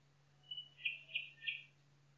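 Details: Nightingale singing in a forest, a whistled lead note followed by three rhythmic, rich warbled notes about a third of a second apart, with background hiss and low hum.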